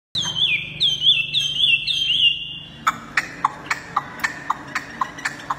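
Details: Tame, hand-carried caged Chinese hwamei, given a mirror for lack of a rival at home, sings at its reflection: loud slurred whistled phrases, wavering and looping, then a run of sharp clicky notes about every quarter second.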